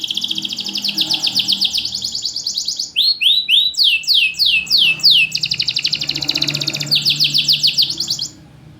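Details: Caged champion canary with a loud voice and short pauses, used as a tutor and a lure for canaries that sing little; fast high trills switch to bold swooping downslurred notes, then back to rapid trilling.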